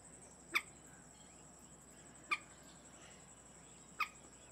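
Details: Indian moorhen incubating her clutch of five lightly speckled eggs in a reed-bed at a created wetland in New Delhi, India: three short, sharp clipped notes at irregular intervals over a steady high insect-like whine.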